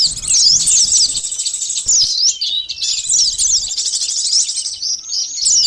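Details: Sunbird song (konin, sogon, korlap) used as a lure for catching birds, from Indonesia: dense, very high, thin twittering with rapid sweeping chirps running almost without pause, faint low rumble beneath.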